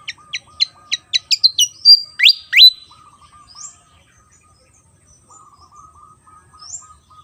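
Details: Javan fantail, an insect-eating bird of Java, singing a quick series of sharp descending chips that accelerates into a few sweeping, looping whistles, followed by a soft low repeated trill from another source.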